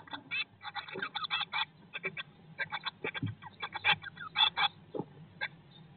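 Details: Inside a nest box with Eurasian blue tits on day 19 after hatching, 2022, a busy run of short rasping chirps repeats almost continuously, with a few low thumps and a steady background hum.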